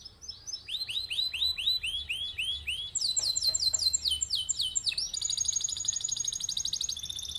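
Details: Canary singing a long rolling song used to train other birds: a run of repeated rising whistled notes, then quick descending chips and a bright high rapid trill to the end.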